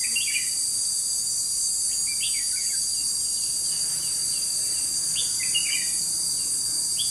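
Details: Red-whiskered bulbul (chào mào) used as a decoy bird for trapping, recorded 21 July 2016; brief bursts of warbled, whistled phrases scattered through the clip, set against loud, unbroken high-pitched insect buzzing.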